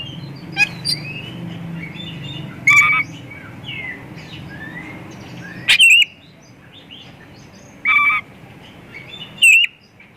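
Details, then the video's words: White-rumped shama lure song aimed at other shamas: loud whistled phrases every two to three seconds with sharp clicks, and softer short whistles between them over a low hum. "Kacer gacor full isian pancingan burung Kacer"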